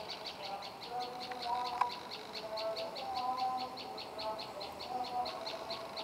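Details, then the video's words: A tailorbird (moss tailorbird type) sings a steady train of high, sharp notes, about four each second, over softer, lower whistles from other birds. "Burung Prenjak Lumut Istimewa"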